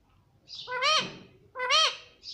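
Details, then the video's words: Pet parrot talking, said to say "mummy papa": two clear, rising-then-falling nasal voiced syllables about half a second each, a pause between them, in a quiet room. "Mummy Papa Bolne Wala Tota || Talking Parrot || Pattu Parrot Talking"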